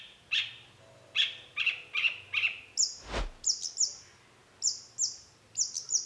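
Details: Long-tailed shrike (cendet) singing in a lively lure-recording style: spaced sharp chirps near mid pitch, then higher whistled notes repeated in quick pairs, with one low thump midway.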